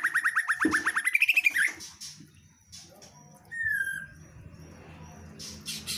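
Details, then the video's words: Female white-rumped shama opening with a rapid string of repeated rising notes that climb higher, then falls quiet apart from one soft slurred whistle and faint background rustle. "MB betina GACOR sampai AKHIR"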